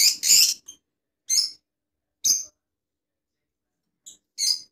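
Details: Rosella among assorted colour mutations: a loud harsh chirp burst, then single sharp high squeaks spaced roughly a second apart, with silent pauses.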